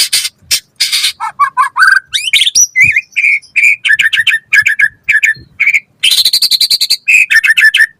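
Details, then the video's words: Rapid varied song of a white-rumped shama, used to train caged birds and provoke replies: sharp chirps, quick downslurred notes and rattling buzzy bursts, high and energetic, with short pauses between phrases. "Pancingan Murai Batu Gacor Auto NYAUT cepat Bunyi buat Masteran Burung Murai agar Gacor Full Isian"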